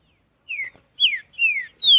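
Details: A Green-winged saltator singing in a song dispute, described as a very fiery singer: four loud, clear whistled notes in quick succession, each slurring downward, with no other sounds.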